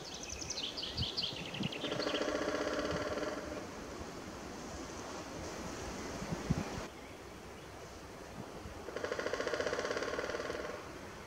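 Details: Male White-backed Woodpecker (ssp. lilfordi) drumming on Mt. Snežnik, Slovenia, in March 2021: two long, rapid drum rolls, each close to two seconds, separated by a pause; thin chirps from another bird open, over steady background rumble.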